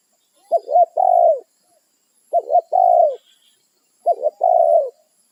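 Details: Territorial wild spotted dove calling to its companions: three loud, evenly spaced cooing phrases, each a quick two-note stutter leading into a longer hollow note that drops at the end.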